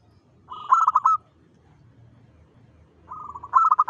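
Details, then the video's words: Zebra dove, local type, singing at dawn: a gentle rolling purr swells into loud staccato coo notes, repeated a few seconds later, with a steady low hum in the background. "PANCINGAN SUARA PERKUTUT LOKAL GACOR SUBUH"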